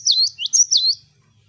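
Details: Cinereous tit giving a single 'wucit wucit' song phrase: high, clear whistled notes that swoop downward and back up in quick pairs, fading out after about one second.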